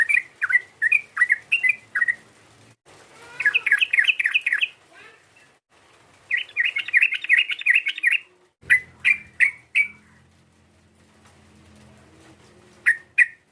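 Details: Sooty-headed bulbul giving a lure call meant to provoke a rival: bursts of short, bright chirps in rapid series, some sharply repeated, separated by brief pauses, with a faint low hum in the background.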